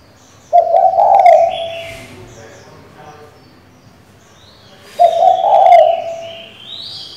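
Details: Female spotted dove calling the male, a call used to excite a decoy bird: two low, grainy coos roughly four seconds apart, with faint high chirps from other birds in between.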